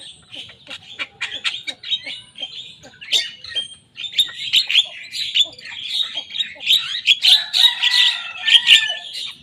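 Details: Javan myna, a young tame bird, mimicking competitors' songs: loose clicks and ticks at first, building into continuous rasping, chattering warble with whistled slides and a lower drawn-out note late on.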